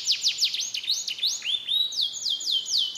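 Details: Canary singing a mixed song of imitated phrases, recorded in Comal, Pemalang, Central Java, Indonesia: high whistled notes that sweep down and then rise, looping quickly and unevenly, with a clear background.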